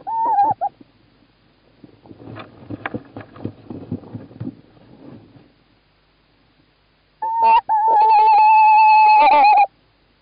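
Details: Estonian tawny owl pair on 11 March 2017, the male calling and the female in the nest box: a short call opens, rustling and scraping follow, then a long wavering call of over two seconds.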